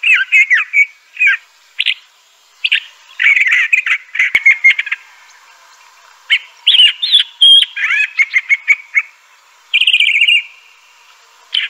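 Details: Crissal thrasher (Toxostoma crissale) singing long sequences of mixed warbles and chirps, fast choppy runs alternating with slurred whistled notes, one sharp click partway through.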